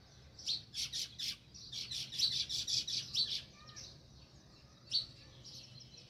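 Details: Sparrow chirping near its nest, village surroundings: bursts of high, clipped chirps repeated about twice a second, a short pause, then a few isolated chirps, with soft low rumble behind.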